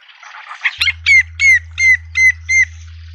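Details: Hornbill juvenile and parents in a suburban Pretoria garden, South Africa, giving a run of six loud, regularly spaced whistles, each dropping slightly in pitch, after brief busy twittering from smaller birds; a low constant hum runs underneath.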